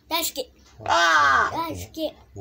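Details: Large-billed crow being taught words, heard indoors: short hoarse caws and a long, strained, drawn-out nasal vocalisation in the middle, possibly mixed with a person's voice teaching it.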